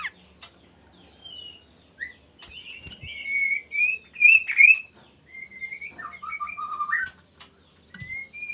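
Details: Male common iora song meant to draw rivals into singing back: scattered short whistled notes and slurred chirps at a moderate pace, louder in the middle, with a faint steady high tone in the background.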